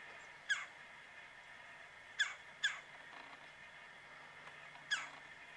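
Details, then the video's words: A woodpecker calling in mid-January at about 9 am, -9°F, from a tree roughly 45 yards away: loud, clipped notes, one alone, then a quick pair, then another after a pause, with a faint background hum. "Woodpecker Calling On a Cold Winter Morning"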